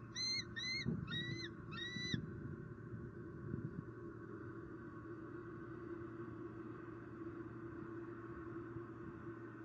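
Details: Female bald eagle calling loudly at her nest tree in Southwest Florida, 20 October 2019, afternoon, as the male brings a squirrel. Four quick, high, rising whistled notes rattle off in a burst, then only steady background hum remains.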